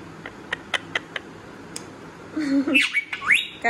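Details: Pet parrot talking: several sharp clicks spaced irregularly, then a burst of loud, harsh, squawky syllables with quick rising and falling sweeps over the last second and a half.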